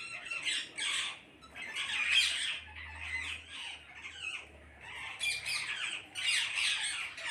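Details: Noisy parrot flock with dense overlapping rasping calls rising and falling in waves, brief quieter gaps between bursts, and a faint low hum underneath.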